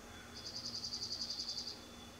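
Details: A bald eagle calls with a rapid string of about thirteen thin, high piping notes lasting over a second, steady in pitch and rhythm, with faint background hum.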